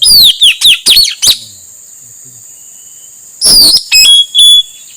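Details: Calls of a male Blue-rumped Parrot used to lure wild birds: five rapid shrill downslurred whistles, a two-second pause, then three more including a level piercing tone, over steady high hiss.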